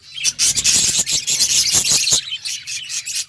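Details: Budgerigars chirping: dense, high, scratchy warbling and chatter in overlapping bursts, loud and continuous for most of the stretch with brief gaps, plus a faint steady high whine.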